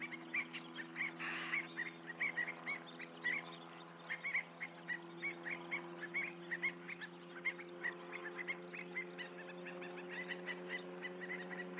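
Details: Murmuration flock of Western Sandpipers in flight at American Canyon Wetlands gives a dense stream of thin, high chips and twitters, several per second, over a steady low droning hum.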